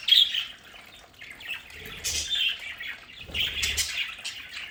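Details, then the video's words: Budgerigars kept as pets at home give scattered chirps and scratchy warbles, with a sharp high note at the start and muffled low thumps of movement. "Sonidos de budgies para Budgies en casa"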